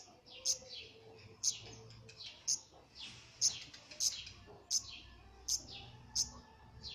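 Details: Black redstart parents feeding their chicks give sharp, very high ticking notes about once a second, with softer falling twittery sounds between them.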